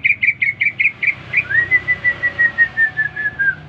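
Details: Greater green leafbird in a cage, newly bought, responding to whistling: about seven quick rounded chirps followed by a long evenly spaced series of clear whistled notes falling slightly at the end.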